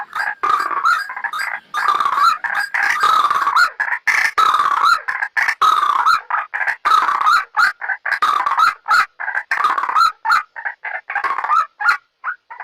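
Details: Loud, continuous white-breasted waterhen trapping lure: strings of harsh croaking notes repeated in long, rough phrases, some stretches merging into a steady chatter and others breaking into separate clipped calls.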